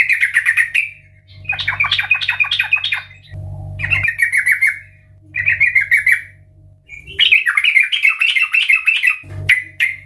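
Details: Loud, chattering gacor song of a yellow-vented bulbul, used as a lure to prompt singing: rapid rippling phrases broken by brief pauses, with a low droning hum in the background.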